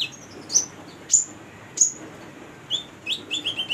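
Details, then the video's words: Female Brown-throated Sunbird, kept as a lure for training young birds: three well-spaced sharp, upslurred high notes, then a quicker series of short, slightly lower chirps. "Konin betina gacor buat pancingan konin bahan"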